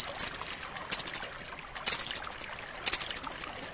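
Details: Striated grasshopper-warbler song, tight and sharp, meant for teaching pet birds: very high trilled bursts of fast pulsed notes lasting about half a second, separated by pauses of roughly half a second, steady and clear.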